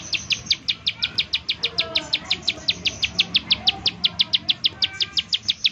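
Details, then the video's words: Bar-winged prinia in full 'nembak' calling, a lure meant to make other prinias sing: rapid, sharp, high notes repeated relentlessly, with faint softer calls from other birds underneath. "ciblek sawah, nembak nembak untuk pancingan ciblek sawah agar bunyi"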